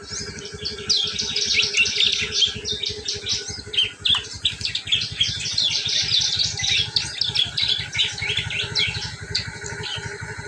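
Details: Prinia ngriwik call, a lure sound for drawing in prinias: continuous fast, shrill chips and twitters packed tightly together, varying slightly in loudness, above a persistent low, evenly pulsing hum.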